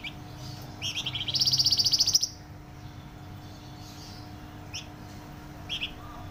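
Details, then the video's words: Flamboyan singing loud and dense: a few rising chirps lead into a rapid, high, rattling trill lasting about a second, then sparse single high notes follow over a faint steady hum. "Burung Flamboyan gacor suara nyaring dan rapat"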